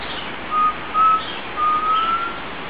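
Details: Undulated tinamou (Crypturellus undulatus), free in the wild near Frutal, Minas Gerais, giving four pure, mellow whistles near one pitch, the last longer and slowly rising, over a steady background hiss.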